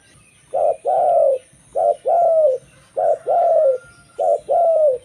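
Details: Song of a local zebra dove, used to attract fellow zebra doves: four evenly spaced pairs of coos, a clipped note then a longer downslurred one, over a faint low hum.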